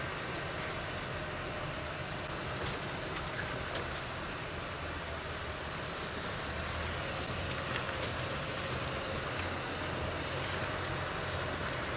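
A steady vehicle engine rumbles throughout with broadband road noise and no clear animal calls.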